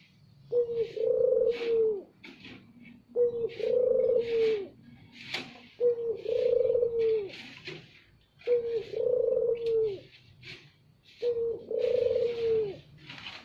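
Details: Barbary dove (puter) giving a loud lure call: five deep, sustained coos repeated roughly every two and a half seconds, each slightly falling at the end, with scattered clicks and rustles between.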